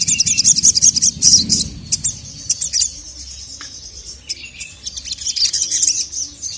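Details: Sogon bird calling a male in an agitated state, thin sharp high chirps in quick bursts, loudest early, then scattered twitters and a renewed flurry near the end.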